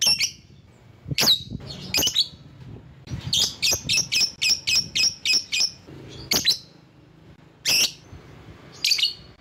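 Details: Lovebird used as a rival-calling lure: harsh raspy shrieks mixed with a quick even run of sharp high chips, then more scattered shrieks.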